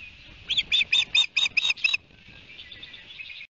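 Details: Osprey at the nest, Barnegat Light, New Jersey, 29 June, via nest camera: a burst of seven high, sharp whistled chirps in quick succession, then softer distant chatter.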